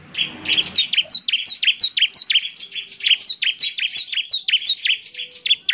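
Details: A bar-winged prinia pours out an unbroken run of high, ringing chirps, each with a quick downward flick, sung to provoke other prinias into answering.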